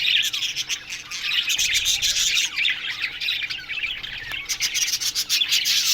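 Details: Aviary budgies chirping together in the morning, a steady flock chorus of quick, high twittering notes and short sliding chirps, with a few sharp clicks.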